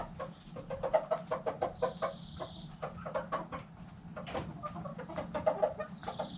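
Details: Hens in a backyard flock giving soft, low, rapid clucks in an irregular busy stream, with thin high whistled bird notes in the background.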